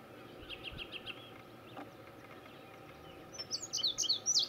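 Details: Male Indigo Bunting in Gamelands 095, Butler County, Pennsylvania; faint evenly spaced chips at first, then after a quiet gap a loud burst of high, sharp, down-slurred paired notes ending the recording over low background hum.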